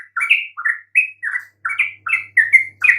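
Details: Lure song of a yellow-vented bulbul for drawing replies from silent birds: eight or so quick, rounded chirping phrases, alternately lower and higher, delivered in a bouncy, even rhythm with a faint low hum behind.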